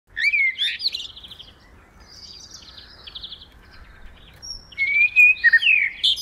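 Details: Common blackbird singing during a snack: a rich, fluty, warbled phrase opens, followed by softer scratchy high twittering, then another loud mellow whistled phrase near the end, against near silence.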